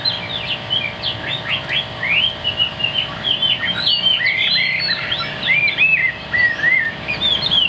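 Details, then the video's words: Caged Chinese hwamei delivering a lively song of varied whistles, quick upslurs and looping warbled notes, the phrases flowing steadily over a constant low electrical hum. "Hm 2783 - Bộ khủng hót cực tốt, đuôi lá vả, hót cao cầu"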